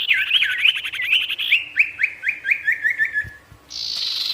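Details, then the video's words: Sirtu singing in full natural variation to draw rival wild birds: a rapid warbling run slowing into a string of about ten sharp downslurred chips, then a steady buzzy note. "SIRTU GACOR BIKIN EMOSI BURUNG LIAR | Full Variasi Alam"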